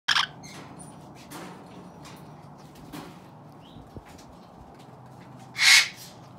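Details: Rescued parrots playing in an aviary; two short, harsh, broadband squawks, one at the very start and a louder one near the end, over a quiet low hum with faint scattered ticks.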